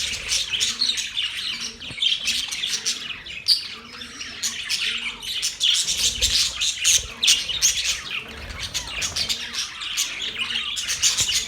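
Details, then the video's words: Budgerigar chirping, heard as a steady warbling chatter of many shrill chirps and chattering squawks from a group, with faint repeated low tones in the background. "Budgies chirping sounds"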